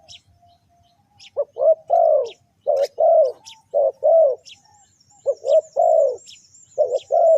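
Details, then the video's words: Spotted dove call played to lure wild birds. Deep, rounded coos come in grouped phrases: a short note followed by a longer swelling one, repeated several times. Faint high chirps of other birds sound in the background. "Chim cu gáy chiêu kích mồi tập bổi nhanh nổi hiệu quả"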